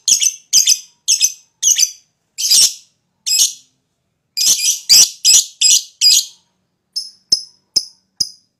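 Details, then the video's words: Lovebird chattering used to provoke other lovebirds into calling; a steady series of harsh, raspy high chirps about every half second, a pause midway, then thinner, shorter clipped notes at the end. "LoveBird Jenis Apapun Ikut Bunyi,LoveBird Emosi Tinggi,LoveBird Ikut Ngekek"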